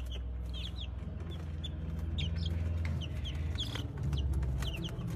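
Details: Brahma chicks peep busily, their bright, high, downward-sliding notes coming in loose runs of two or three while a low steady drone continues underneath.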